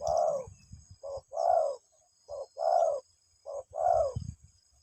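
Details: Softer, more distant spotted dove calling its mate, low breathy coos in short-long pairs, with some low rumbling noise and a faint high whine.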